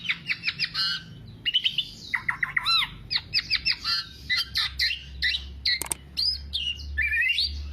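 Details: Kepodang, or Black-naped oriole, in 'teler' style singing meant as a lure or master recording; busy stream of harsh squawks and whistled chirps, with a few louder rising notes and sharp clicks, delivered almost without pause.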